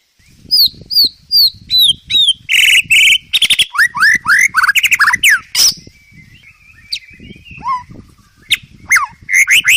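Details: Training song of a white-rumped shama for cage birds, rich in fills: quick descending whistles, buzzy bursts, rattles and upward-flicking notes in a fast varied stream, with faint low background noise.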